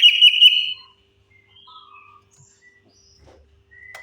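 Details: Lure song of the orange-headed thrush, meant to make silent birds start singing. It opens with a loud, rich whistled flourish under a second long, followed by scattered faint, thin whistled notes and a soft tap.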